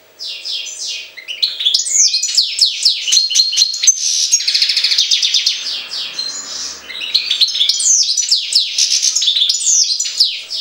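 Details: European goldfinch from Jagodina delivers energetic, rapid twittering song, a cascade of sharp descending chirps, tinkling notes and brief buzzy trills, with only a slight lull in the middle.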